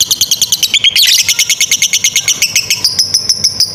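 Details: Long ngekek chatter of a lovebird fighter, meant for training young or stalled lovebirds; quick high staccato notes repeat about three per second, with a brief upward sweep near the first second and shriller ticks toward the end.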